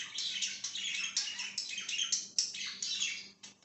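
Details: Budgerigar chattering rapidly, with scratchy warbled chirps and descending squeaky notes packed tightly together, fading slightly at the end.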